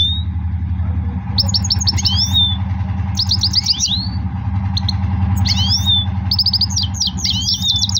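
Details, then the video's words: Goldfinch singing in lively bursts of rapid twittering and buzzy, sweeping trills, phrases separated by short pauses, over a steady low humming background. "Gold Finch Power Full Singing"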